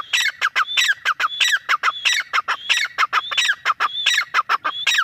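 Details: Continuous calling of a female grey francolin: a steady, pulsing chain of loud phrases, each starting with a high whistle and dropping into harsh, clipped notes, repeating roughly every second.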